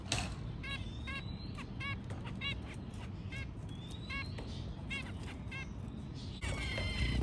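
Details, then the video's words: Mating white zebra finches: short nasal, stacked notes repeated about three to four times a second, with a couple of thin rising whistles and steady low rumbling noise underneath. "White zebra finch mating 2"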